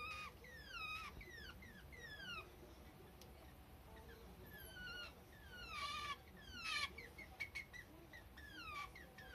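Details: Pet Java sparrow calling without warning, its "kyu-kyu" said to be given when lonely or wanting affection: soft, falling whistled notes in quick runs, with some clicks and rustling nearby.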